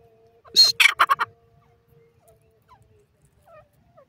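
A francolin gives a quick burst of four or five loud, harsh, grating notes in about a second, followed by near silence with a few faint distant chirps.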